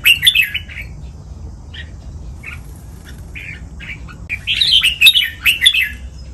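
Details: Red-whiskered bulbul in the Pa La-U and 'double 23' song styles used to train caged birds: a lively warbled phrase, scattered short chirps, then a longer burst of rich, bubbling whistled notes.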